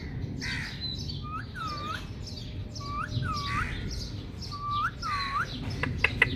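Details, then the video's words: Pet talking Indian ringneck parakeet reacting to a mirror, chattering in quick, curved whistled notes mixed with harsher squawks, about three a second, over a low rumble, with a few sharp clicks at the end. "Talking Parrot Mirror Reaction | Ringneck Parrot | Mithu Voice"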